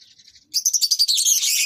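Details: Lovebirds kept together for pairing and mating: soft high chirps, then a sudden loud, harsh, rapidly pulsed screeching chatter that runs on without pause.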